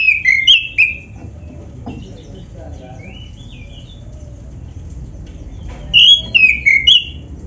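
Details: Oriental magpie-robin, black-breasted form, in song with fill-in phrases, meant to get other magpie-robins singing: a few clear descending whistles, a long quiet gap with a soft phrase, then a loud run of falling whistled notes.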